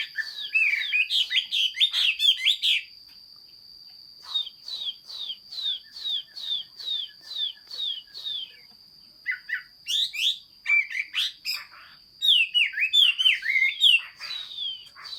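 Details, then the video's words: Chinese hwamei in hót xuý song, 15.06.2021: bursts of fast tumbling whistles, then a long chain of short descending notes repeated about twice a second, ending in more varied warbled phrases, with a constant thin high tone behind. "Chim hoa mi hot xuy. Singsong bird very beautiful"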